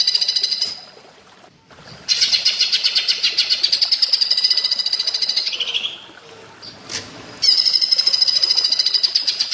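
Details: Greater green leafbird, called cucak ijo, singing platuk bawang style: repeated long bouts of fast, shrill, rattling notes separated by short gaps, with one lower slurred phrase and a sharp click between bouts.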